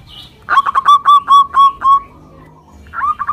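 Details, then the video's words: Local zebra dove from Indonesia singing as a lure for silent doves: a faint high note, then a series of eight rapid cooing notes that spread out and fade, and a softer rising coo sequence after a gap. "PANCINGAN PERKUTUT LOKAL GACOR UNTUK YANG MACET BUNYI SEMUA IKUT NYAUT"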